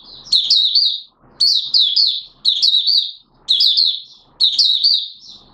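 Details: Malaysian Oriental white-eye (mata puteh) in 'buka' open singing, Singapore, 29 March 2023, warm humid weather with sudden showers: bursts of high, sweet, rapidly jumbled twittering notes about once a second, separated by short pauses.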